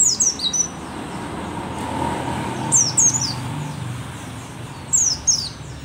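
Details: Mountain white-eye from Merapi, described as endemic and rare, an old bird still singing keenly: short bursts of thin, high, downward-slurred chirps in three groups, with steady low background rumble between phrases.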